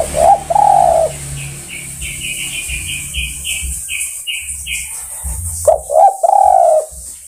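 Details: Spotted dove calling other birds: a hoarse coo at the start, a run of short higher chirps from another bird in the middle, then a final series of three coos over a low background hum.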